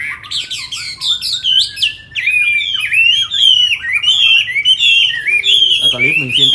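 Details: Captive tame Chinese hwamei, Hà Nội, Vietnam, opening with varied sharp chirps and swoops, then settling into a bright continuous warbling whistle with fast trills near the close.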